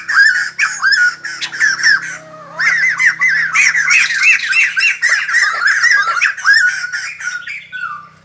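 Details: A White-crested laughingthrush, said to dance like a ballet dancer as it sings, opens with scattered harsh calls, pauses briefly, then breaks into a dense, excited cackling chorus of rapid wavering notes before fading.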